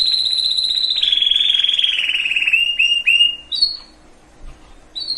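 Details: Canary song aimed at readying breeding birds of both sexes: a sustained trilled tone gradually sliding lower, followed by short slurred notes and brief high whistles after a pause.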